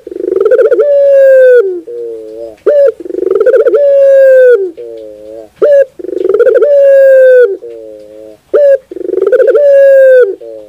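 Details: A Barbary dove coo song: low, drawn-out coos, each followed by a softer rolling trill, repeated about every three seconds with no other sounds.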